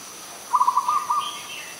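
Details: Adult zebra dove recorded at Ubon Ratchathani, Thailand, on 21 September 2022: a short run of quick, soft cooing notes over a steady high hiss of background noise.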